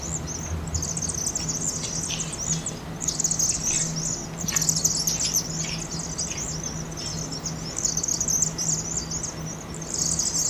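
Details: Vaux's swifts on fall migration swirl over a University of Oregon chimney in Eugene, Oregon, where about 7,000 roost, sped up 2.5 times: a continuous shrill chittering of many birds rising and falling in bursts over a low hum.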